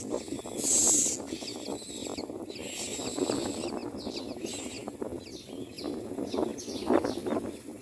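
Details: Common myna chicks screaming for food while being fed: harsh, raspy, hissing bursts repeated throughout, with a loud hiss near the start and a stronger rasping scream near the end, over a low steady background rumble.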